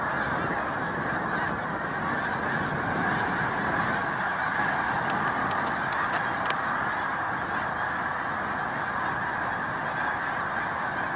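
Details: On Cayuga Lake, New York, on 20 March 2021, massed Snow Geese resting during spring migration keep up a continuous roar of honking. The overlapping calls blur into one unbroken chorus with a few sharper clicks standing out.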